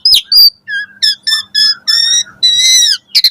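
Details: Morning song of an Asian pied starling used to coax caged birds into song: sharp opening notes, then a series of nasal, buzzy stacked tones of rising length, closing with a quick chattered burst.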